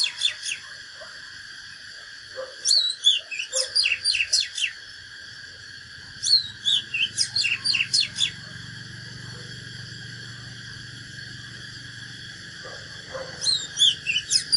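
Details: Natural Oriental magpie-robin in fighting song, repeating three bursts of rapid, varied whistles and swooping notes, each about two seconds long, with pauses between. A low rumble and constant high hum sound in the background.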